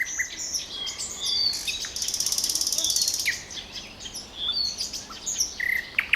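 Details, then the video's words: Common nightingale singing its trills: scattered high whistled notes, then a fast dry rattling trill lasting about a second, followed by sharp rising whistles and short clicks. "Трели соловья"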